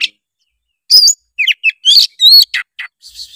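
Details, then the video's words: Oriental magpie-robin song, played to encourage a reluctant young bird to sing; after a short chip and silence, bright downslurred whistles, quick chirps and a held high tone follow in a lively sequence. "suara kacer gacor ngeplong pancingan kacer malas trotol menjadi gacor"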